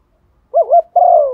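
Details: Female dove cooing to attract a male, used as a lure bird: a wavering, throaty two-part coo, first notes undulating up and down, then a longer steady hoot sliding slightly downward, in a quiet setting.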